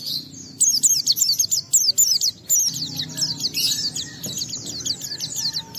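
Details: Oriental white-eye singing as a lure for other white-eyes: brisk bursts of very high, sharply slurred whistles repeated rapidly, separated by brief gaps, with a softer twittering trail over low background hum.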